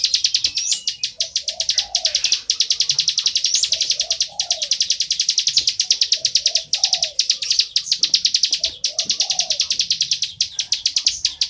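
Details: Loud, continuous bar-winged prinia song, long bursts of rapid high chirps broken by brief pauses, with gentle low cooing from another bird in the background.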